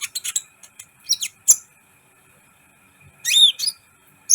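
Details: Training recording of a kolibri ninja sunbird, meant to excite other birds: a fast twittering burst, then slurred whistles, a pause, and a looping rising and falling whistled phrase.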